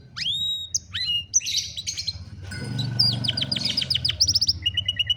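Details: Canary song used for training a lazy canary to sing, recorded on a cellphone: varied whistled notes and rapid trilled phrases at high pitch, with a low rumbling background hum throughout.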